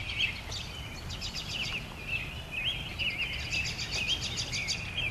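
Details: Several birds singing at sunset in spring, high chirps and trills repeating over a steady low rumble of background noise.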